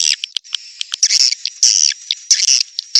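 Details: Swiftlet lure call of the 'tombak raja' style, played to draw swiftlets into swiftlet houses: dense, high chattering twitters in bursts, broken by short gaps, over a faint steady high whine.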